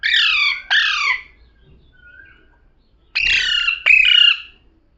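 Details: Parrot speaking in two pairs of harsh, raspy syllables separated by a pause with a faint thin tone, each syllable dropping in pitch, the second pair with a brief clearer whistled note; little background noise.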